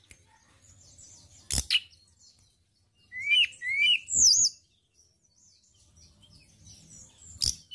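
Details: ['Sharp song of a white-browed shortwing used as a lure for training songbirds: a harsh burst, a pause, then a quick series of rising whistles climbing into high squeaky notes, and another harsh burst.']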